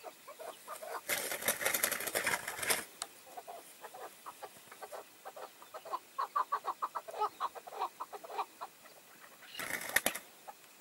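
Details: Chukar partridge used as a tethered decoy in a hunt, with five wild males coming in; a fast run of short, clipped calls repeats for several seconds, broken by loud bursts of flapping and rustling at the start and end.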